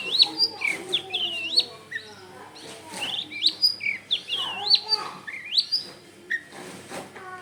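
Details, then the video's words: Long-tailed shrike song for luring: lively run of twisting whistled phrases and chirps, rising and dipping, repeated in bursts over several seconds with soft background noise. "SUARA BURUNG CENDET GACOR EFEKTIF BUAT PANCINGAN"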